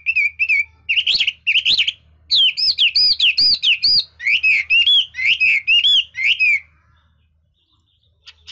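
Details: Hwamei praised for changing its voice while singing: a fast run of loud, varied whistled slurs and rising and falling notes for about six seconds. A pause follows, then a faint final note.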